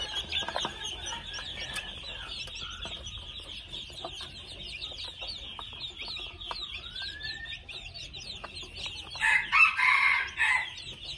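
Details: A young red junglefowl, two months old, bursts into a loud, coarse call of about a second near the end. Before it come a steady high chirping background and a thin rising whistle from another bird.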